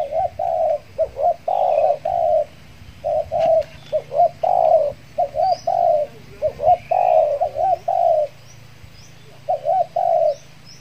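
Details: Spotted dove, a trained decoy bird back out after finishing its moult, used to lure wild doves in Kepri; repeated short wavering coos each followed by a longer drawn-out coo, phrases coming every second or so, faint high chirps of other birds.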